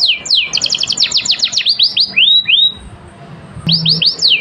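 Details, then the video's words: Canary singing as a master recording to set other songbirds singing. A rapid stuttering trill gives way to falling whistled sweeps. After a brief pause, quick descending notes resume. "Kenari full durasi Top Masteran, merangsang burung lain berkicau"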